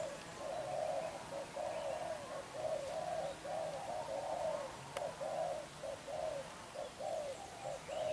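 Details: Spotted dove, young and wild-caught with black eyes, performing vigorous 'đập gù' coos: rhythmic low hooting notes repeated roughly every second, swelling and fading, over quiet hiss.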